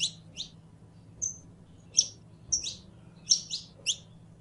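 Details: Saffron finch (Sicalis flaveola) song: short, bright chips and sharp high notes, given singly or in quick pairs about every half second, with a faint low hum underneath.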